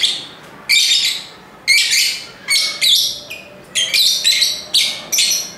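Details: Lovebirds chirping busily: harsh, buzzy shrieks about once a second, each a rough screech with a higher whistled tone inside, delivered in an irregular rhythm.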